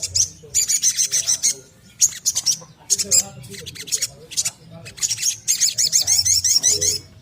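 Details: Little spiderhunter song used as a lure (pancingan) to make caged birds sing readily. Bursts of rapid, very high, sharp chattering notes in short phrases under a second long, separated by brief pauses, over a faint low hum.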